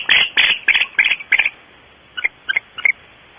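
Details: Barn owls at a nest at Starr Ranch, recorded at 5:45 am on 8/5/13: a run of five loud, rasping, chittering bursts in quick succession, then a pause and a few softer, clipped notes, with a faint background hiss.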